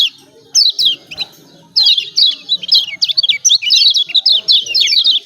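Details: Kecial kuning from Lombok, a yellow white-eye, producing 'ciak ciak' lure calls to prompt reluctant birds: high, sharp chirps building into dense, rapid bursts of descending twitters.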